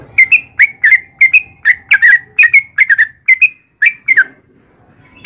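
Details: Sooty-headed bulbul, full ropel song: crisp whistled couplets with rising and falling slurs, spaced evenly for four seconds before trailing off into near silence and one last clipped note.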